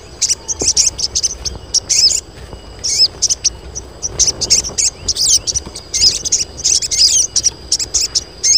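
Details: Female crested jay colony calling for males: many rapid, high-pitched chirps and brief squeaks arriving in quick irregular groups, several birds overlapping, against a constant shrill background tone.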